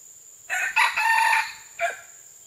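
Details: Crowing of a red junglefowl, recorded June 12, 2011. A raspy, multi-part cock-a-doodle: a brief opening burst, a longer harsh held section, then a short separate closing note, with a constant thin high-pitched hiss behind it.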